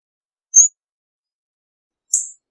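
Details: Hawfinch call pair: a brief pure high whistle followed over a second later by a harsher high buzzy tick, nothing else audible.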